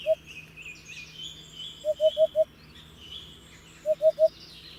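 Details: Hoopoe calling with groups of three or four low, round hoots about two seconds apart, with distant chirping birds in the background.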